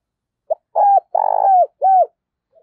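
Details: Spotted dove used as a decoy to call wild doves in for trapping, giving one short phrase: a brief note, then three drawn-out husky coos, the middle one longest.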